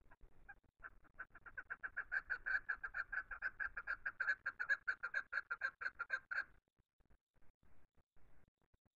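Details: Chukar giving its natural call: a rapid run of harsh, clucking chuk notes, about two a second, building in loudness and then stopping abruptly, followed by faint scattered clicks.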